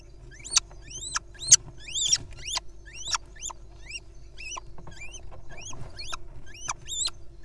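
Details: Play-fighting little owl nestlings utter a near-continuous series of sharp, high, upward-sweeping squeaks, roughly one per second and uneven in loudness, with a constant low background hum.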